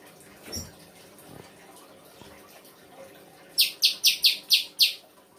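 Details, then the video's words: Songbird in an Indonesian bird-song hobby recording of full song-fill material: after a quiet stretch with faint knocks, six rapid high, sharp chirps ring out in an even, quickening series near the end. "FULL ISIAN RAI GOSONG K9NCER"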